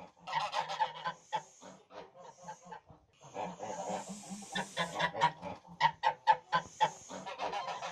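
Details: Tula fighting geese, a domestic Russian fighting breed descended from the greylag, honk loudly in harsh nasal bursts. Several birds call over one another in quick, irregular, sometimes stacked runs.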